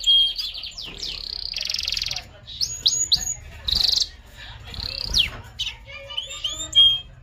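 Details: Singing canary delivers a varied song: short buzzy trills, sweeping whistled slides, sharp chips and clear piping notes, changing phrase every second or so, loud and close.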